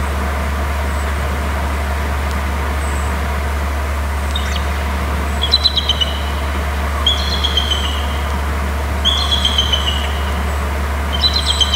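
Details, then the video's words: Eagle calling from inland, low overhead, at 7:37: bursts of high, stuttering trills, each a quick run of sharp falling notes, repeated every two seconds or so and building toward the end, above a loud steady low engine-like hum. "eagle from inland low up above icon on BST trills"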